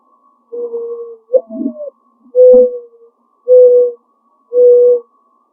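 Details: A mourning dove in a backyard, perched first in a neighbour's tree and later on a shed, gives its soft, low, hollow coo: a drawn-out note, an upward-swooping one, then three steady hoots about a second apart.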